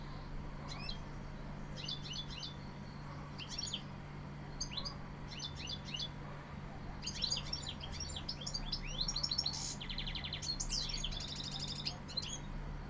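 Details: Sevillian European goldfinch singing spaced clusters of thin, tinkling chirps. The clusters grow denser and faster toward the end into a rapid twittering run, with a constant low hum behind.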